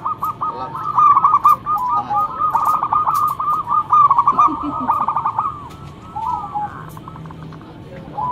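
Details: Local zebra dove with a strong, loud song for luring: a dense rolling series of quick warbled coos for about five seconds, then softer scattered notes.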